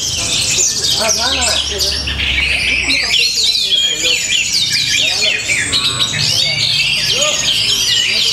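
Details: Caged orange-headed thrush at a Tabanan, Bali competition, singing a vigorous varied song of looping whistles, squeaky chatter and short bubbling notes, about four note groups per second, with low background rumble.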